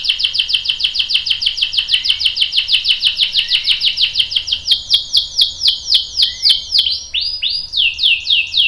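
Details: A female canary's calls played to draw a male into song: a rapid run of sharp, evenly spaced downslurred chirps that gradually slows into wider, louder sweeping notes near the end.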